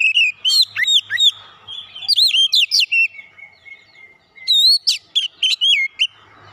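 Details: Oriental magpie-robin lure song for provoking other birds to sing their repertoire: almost continuous loud, sweet whistles with rising and falling slurs, a long level note mid-phrase, and more rapid whistled notes after it.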